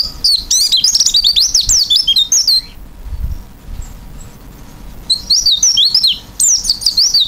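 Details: Lively, filled-in song of an oriental white-eye: two bursts of rapid, high, squeaky twittering with zigzagging slurred notes, separated by a quiet pause of roughly two seconds with faint low rumbling.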